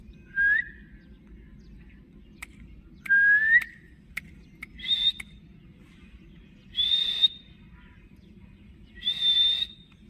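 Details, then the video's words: Green ringneck talking parrot from Pakistan, known for saying "mian mithu", gives five short, clear whistles, some rising and slurred, about every two seconds, between sharp clicks over a steady low hum. "Cute Parrot voice"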